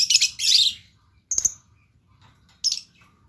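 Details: Blue lovebird gives a loud half-second burst of harsh, high chatter, followed by a single sharp chirp and, after a pause, another short shrill note.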